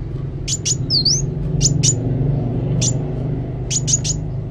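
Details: Sunbird singing actively, giving short, sharp, very high chirps in quick pairs and triplets, with one slurred wavering note, over a steady low hum.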